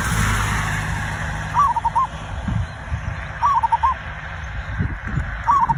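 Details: Cooing song of a zebra dove used to provoke other birds to sing: quick rolling phrases of stuttered notes, repeated roughly every two seconds over low background rumble.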